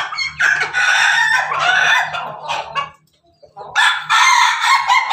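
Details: Pelung chicken, a kept rooster, crowing in laughing style on 17 May 2024: loud broken crow phrases chopped into rapid pulses, a near-silent gap of about a second, then another burst of harsh, stuttered crowing.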